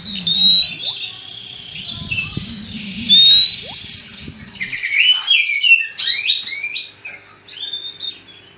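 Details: Male and female Oriental magpie-robins singing, used to lure birds: bright rising whistles around half a second and three seconds in, mixed with varied chirps, trills and sweeping notes, over a low rumbling murmur during the first half.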